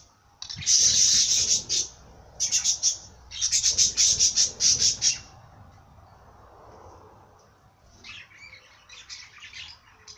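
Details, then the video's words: Loud bird song in rapid clusters of sharp, high chirps, grouped into three bursts over about five seconds, then fading to faint, scattered twitters. "Bird sing song madár ének"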